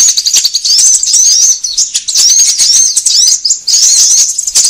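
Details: Sunbird lure recording used by Indonesian bird trappers to draw birds together and to tutor caged birds: dense, very high-pitched twittering with thin whistled slurs and rapid chips, almost continuous with brief breaks.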